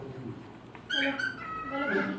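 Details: A pet cockatiel imitates human speech, saying "hi" in a harmonic, voice-like phrase.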